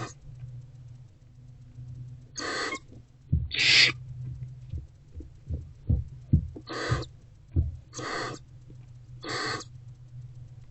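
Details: A hungry barn owlet in its nest box, tearing at a rodent on a February 2024 afternoon, gives five rasping hisses at irregular gaps amid frequent low thumps, clicks and scraping, over a low hum.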